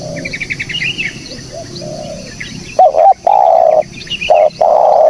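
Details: Lure recording of a spotted dove: high twittering from other small birds at first, then loud hollow coos begin, two short clipped notes followed by long sustained coos separated by brief gaps.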